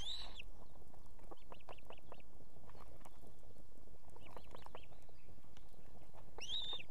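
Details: Female osprey at an Estonian nest with two chicks, calling the male to bring food in the evening: a loud whistled call at the start and end, with a run of short arched whistles between, over steady low rumbling wind noise.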